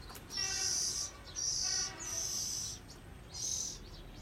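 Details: A young Oriental magpie-robin not yet in adult plumage gives four drawn-out, high, slightly raspy notes, each about half a second long, roughly one per second, over a faint hiss.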